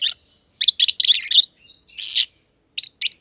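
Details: Pair of aviary lovebirds, green personata and green pied personata, giving harsh high chirps in a quick cluster, then a lone rasping note and two final chirps.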